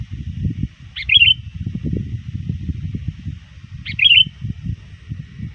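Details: Sooty-headed bulbul lure bird near dusk, calling to rivals: two separate bubbly chirped phrases about three seconds apart, each a bright sharp start followed by warbled notes, with low rumble beneath.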